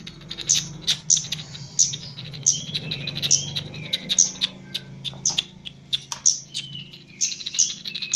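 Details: Chestnut-capped laughingthrush from Java, singing vigorously during mental training: a steady run of sharp, high chips roughly every half second, mixed with brief squeaky whistled notes, over a low background hum.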